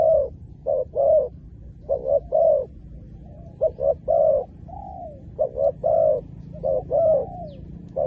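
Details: Cooing of a spotted dove used for luring wild doves. Short doubled hoots lead into a longer gliding coo, several phrases following close together against low steady background noise.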